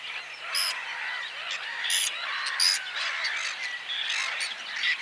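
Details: Several Whiskered terns giving coarse, grating calls, with a few sharp, loud rasps standing out over a continuous layer of softer overlapping squawks throughout.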